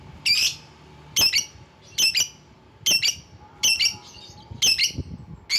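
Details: Lovebird calling to draw rivals: harsh, grating shrieks repeated about once a second, each short and raspy, over a faint steady hum.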